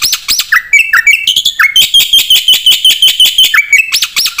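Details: Vigorous jalak putih (Black-winged myna) song with full fill-ins, meant to tutor caged birds and draw replies. Loud, fast, regularly repeated piercing chips are broken by swooping downward slurs and arched whistles.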